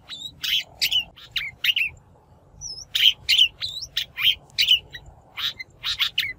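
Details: Shrike lure call, natural-voiced, intended for trapping or for coaxing song from wild-caught birds: irregular harsh, rasping notes mixed with short whistled slurs, about forty-six notes a minute, with brief pauses between groups.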